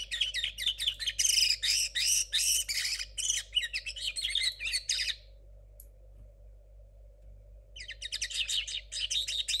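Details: Unfinished song of a young linnet hybrid born in 2022 and kept in a cage: about five seconds of rapid, scratchy high twittering and trills, a short silence, then the chatter resumes.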